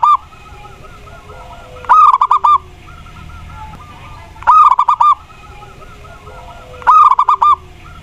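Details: Zebra dove of the Mataram type singing, used as a lure to prompt other doves to sing: three loud phrases about every 2.5 seconds, each a quick run of clipped, mellow cooing notes with sharp onsets, over faint steady background cooing.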